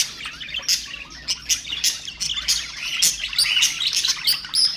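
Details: Domestic budgerigars warbling to stimulate other birds: a steady flow of high chirps and buzzy squeaks, growing busier and louder toward the end with thin whistled notes.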